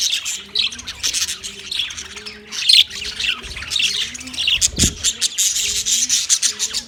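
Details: Budgerigars on 9 March 2024 squawk and chirp in high chattering bursts, a repeating faint low melodic tone beneath, and one sharp low knock midway.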